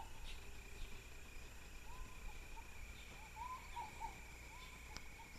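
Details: Ruddy Pigeon (Patagioenas subvinacea berlepschi), Rio Canandé, Ecuador, 15 December 2012, giving a soft series of low, slightly rising cooing notes, faint against a steady high drone of insects.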